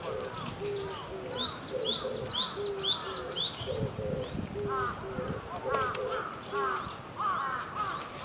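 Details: Wild Java sparrows chatter as a flock: overlapping, rapid mid-pitched chips and clucking notes with brighter upslurred twitters, continuous throughout with no pauses.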